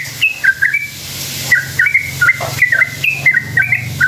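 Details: A sooty-headed bulbul sings a long rolling song meant to provoke other bulbuls into answering. Bright whistled notes come in quick rising-and-falling pairs, with a short pause early on, over a low steady hum.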